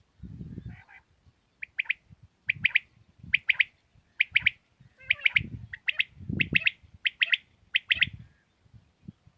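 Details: Pakistani early-morning recording of common quail song: tight triplets of sharp, high, clicking-buzzy notes repeated about every second, with low thumping noise underneath.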